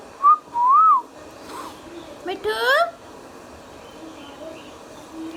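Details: Talking green Indian ringneck parakeet kept as a pet: a brief whistled note, a longer wavering whistle, then a short speech-like harmonic phrase, followed by near silence with faint low background sounds.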